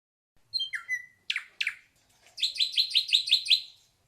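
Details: Ashy drongo song: a descending whistle slurring down to a steady note, two harsh downward sweeps, then a rapid run of six buzzy chattering notes; background otherwise quiet.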